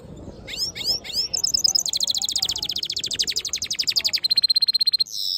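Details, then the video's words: Black-hooded yellow hooded siskin mule: several sweeping chirps, then a long, fast, regular trill of high sharp notes that ends on a sustained buzzy tone. "Black HOODED yellow siskin mule | Cabecita negra CD | Carduelis singing"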